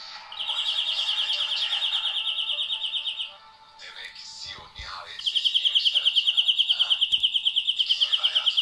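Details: European greenfinch song with a long, rapid rattling trill of identical notes for about three seconds, a pause filled with softer twitters and chirps, then another loud, sustained trill of evenly pulsed notes to the end.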